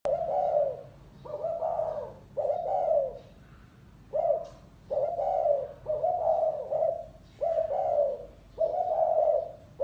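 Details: Spotted dove cooing in the gáy gù style: eight low, husky coo phrases, some broken into two or three notes, repeated about every second, with faint higher chirps in the background.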